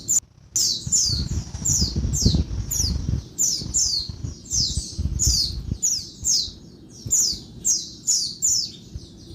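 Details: By day a female Oriental white-eye gives agitated calls said to make males sing: repeated high, squeaky downslurred notes in regular bursts, with low thudding noise in the first half.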